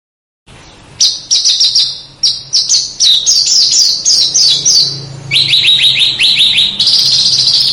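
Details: Small bird's song for training competition cage birds to copy other birds; continuous high chattering, with rapid repeated sharp notes and quick downslurs over a low background hum.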